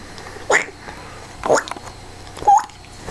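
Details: A pet African grey parrot squawking and being silly indoors gives three short, harsh squawks about a second apart, the last ending in a brief clear whistle, with faint voices.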